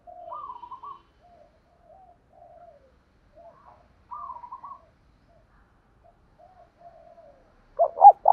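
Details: Spotted dove lure call for provoking fights, 'thổ đồng' voice: soft, quavering higher coos repeat at intervals for most of the stretch. One loud, stuttered deep coo phrase bursts in at the very end.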